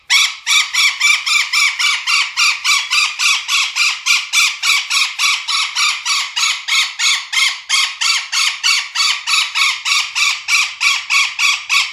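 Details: Golden parakeet uttering an unbroken stream of loud, raspy screeches, over three per second, evenly paced throughout and without background noise.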